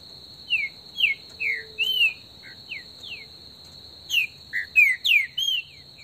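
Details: Green-winged saltator singing in the bush, an esquenta session: a long run of sweet whistled notes, mostly falling, some rising and some held longer, in two busy phrases separated by a short gap, backed by a continuous high insect whine.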